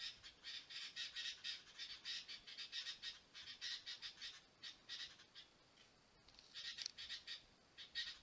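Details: Sooty-headed bulbul (Pycnonotus aurigaster) in Thailand giving harsh, scratchy high call notes in quick repeated bursts, several each second.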